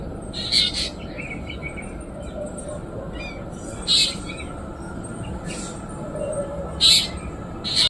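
Black drongo giving harsh, metallic high-pitched calls in short bursts every second or two, over a steady low background rumble.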